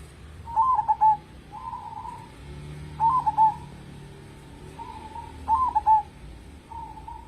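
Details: Zebra dove, a local bird singing freely and used as a lure to prompt other birds: staccato, cooing phrases repeat roughly every two and a half seconds, each followed by a softer, lower rolling trill.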